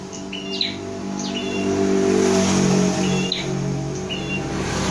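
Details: A prinia being trained with a mirror gives short, high, sharp chirps in small bursts about once a second, over a steady low droning hum like nearby traffic.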